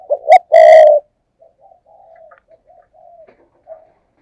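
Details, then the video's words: Close spotted dove lure giving 'thúc gù' coos to draw wild doves: a short coo then a loud, full drawn-out coo, followed by a string of soft low murmurs. "cu gáy, Mồi cây thúc gù chuẩn căng đét"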